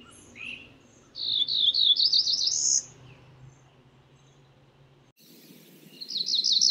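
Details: Cerulean warbler delivering a complete buzzy song of quickened rising notes topped by a high final buzz. A second song begins at the close, with faint low rumble underneath.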